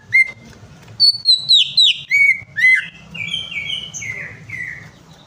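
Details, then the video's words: Greater green leafbird song for coaxing a bird that refuses to sing: varied clear whistles, high flicked notes and sliding phrases stepping downward, delivered in a rapid varied sequence over a faint low hum. "PANCINGAN CUCAK IJO MACET PARAH"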